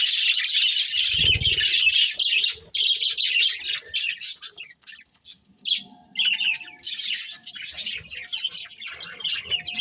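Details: Budgerigar breeding pair kept as pets, chirping constantly: dense, scratchy, high chatter and warbling with brief pauses and a short low thump near the start.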